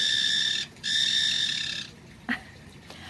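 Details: Pet White-bellied Caique parrots kept indoors, growing louder: harsh, sustained broadband screeching in two long bursts broken by a brief gap, followed by a short sharp squawk and quieter background noise.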